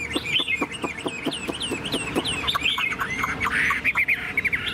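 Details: Tame Chinese hwamei in a carry cage, fanning its tail, delivers a busy string of short clipped notes and bouncing whistles, rising into a brighter warble near the end, with low background hum.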